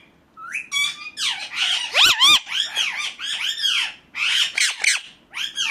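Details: Indian ringneck parakeet calling naturally, played to teach parrots to talk: a steady run of harsh, rasping squawks and rising-falling screeches, many overlapping, with barely a pause across the stretch.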